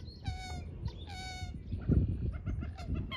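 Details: Common moorhen calls: two loud, harsh, harmonic notes in the first second and a half, followed by weaker, broken calls over a steady low rumble of background noise.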